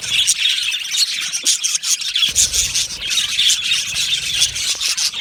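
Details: Many budgerigars in an aviary chirping and warbling nonstop, a dense high chatter with quick squeaky notes and a soft low rumble in the second half.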